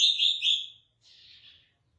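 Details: Mangrove blue flycatcher giving a clear whistled phrase of two or three linked notes over about three quarters of a second, followed by a fainter, softer descending whistle, then silence.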